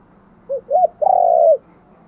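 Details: Spotted dove luring coo: one phrase made of a brief soft note and an arched second note, then a long, sustained, gently falling coo, with low, steady background hiss.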